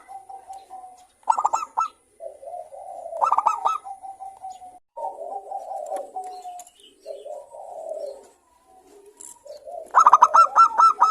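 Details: Lure song of a local zebra dove praised for its crystal-clear voice, meant to stimulate other doves to sing: soft low purring trills run almost continuously, broken by several loud bursts of rapid, stuttering coo notes.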